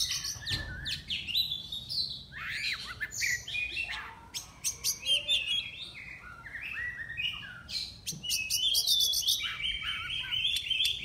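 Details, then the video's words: Oriental magpie-robin from Miri, Sarawak, entered as contestant 15 in an online bird-singing contest. It sings a varied run of sweeping whistles, sharp clicks and downslurred notes, ending in a fast burst of repeated high notes. Faint background hiss. "Lomba Burung Online Kacer NEO"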